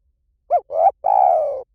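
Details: Spotted dove cooing as a decoy to lure wild doves: a short arched coo, a rising swelling coo, then a long level coo that fades slightly downward, all mellow and mid-pitched.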